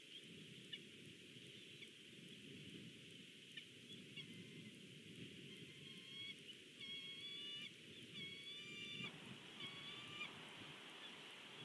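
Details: Bald eagle at a Big Bear nest, recorded by a live nest camera while a fish is brought in; thin, whistled notes in quickening series, with a steady hiss of wind or background noise.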